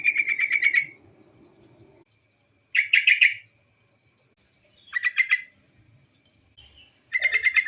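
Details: Female yellow-vented bulbul call serving as a lure for untrained birds: several short bursts of fast, chattering notes at a steady pitch, repeated every two seconds or so, with a faint thin whistle between them.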